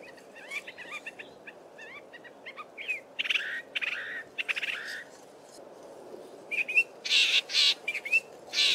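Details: Male Southern fiscal in Belmont Valley, Eastern Cape, singing a varied run of short chirps, trills and harsh buzzy notes at a quick, irregular pace, mixing in mimicry of many local birds' calls.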